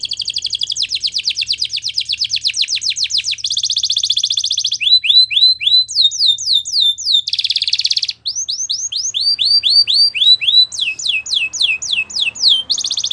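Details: Belgian canary song of fast rolling trills: quick repeated notes near the start, then sweeping upward-curving whistles, a dense buzzy burst, and descending slurred notes repeated several times a second, all loud and clear.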